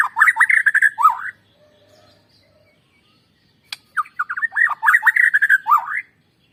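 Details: White-rumped shama song for coaxing birds to sing loudly: two busy bursts of fast, varied warbling and trills with a quiet pause between, a faint thin whistle and a sharp click in the gap.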